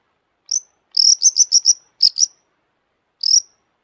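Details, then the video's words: Long-tailed shrike song fragment: very high, thin chipping notes, a run of five quick ones followed by a pair and a final single, with silent gaps between. "kicau burung cendet gacor FULL EMOSI"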